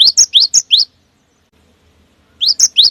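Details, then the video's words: Cinereous tit lure song of rapid rising whistles, sung to prompt other birds into singing. Five quick upslurred notes are followed by a pause of over a second, then another short run of whistles. "memancing bunyi segala jenis burung gelatik batu"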